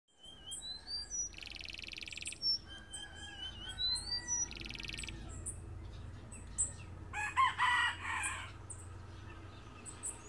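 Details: Trained canary singing a silvery whistled 'silvado' cut: scattered high whistled notes and rising slides, two dense buzzy rolls near the start, then a bright trilled burst late in the phrase, over a low indoor hum.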